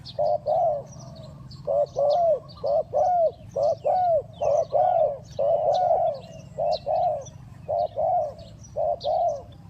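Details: Rapid cooing of a spotted dove, used to lure birds for trapping: a quick run of low, rounded, slightly falling coos in pairs and threes, nearly continuous for ten seconds, with faint high chirps from other birds and a steady low hum.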